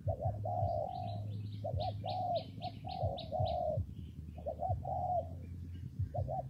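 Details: Hollow, repeated cooing of a spotted dove in rainy, windy conditions, doubled short notes and longer coos, while another bird gives a quick series of high chirps and a deep hum continues.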